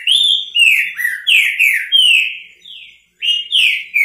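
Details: Loud, close Green-winged saltator song of the repetidor bico fogo type: a steady chain of full, slurred whistles, each dropping in pitch, delivered about twice a second, pausing briefly before resuming.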